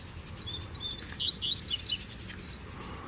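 Double-collared Seedeaters give quick, high, sweet chirping phrases of varied notes in bursts of about a second, over a faint low hum.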